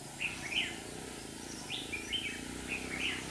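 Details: Trapping red-whiskered bulbuls in Hòa Bình with two decoys; the caged bird gives three short, chirpy warbled phrases spaced about a second apart, luring wild rivals, over low background noise.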